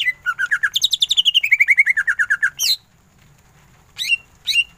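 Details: Greater green leafbird in ngentrok song. A fast, even trill of about twenty notes slides steadily down in pitch, then a harsh burst, a pause, and two high downslurred whistles.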